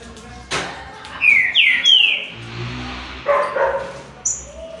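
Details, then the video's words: Trinca-ferro (green-winged saltator), part of a three-bird singing contest: a pair of bright downslurred whistles, followed by a high short whistle, among a thump, muffled voices and low background noise. "TRIO NA DISPUTA ESQUENTE SEU TRINCA FERRO"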